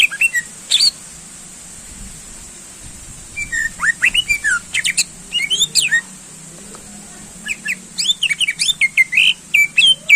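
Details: Greater green leafbird in energetic song aimed at stirring contest birds: scattered sharp whistles and slurs, building to a fast, dense run of chirping, rising and falling notes in the last few seconds.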